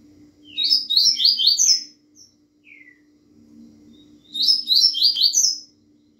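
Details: Double-collared seedeater singing in the fast Bahiano style: two quick high phrases of slurred, descending chirps about three seconds apart, with a few soft isolated notes between them over a steady low hum.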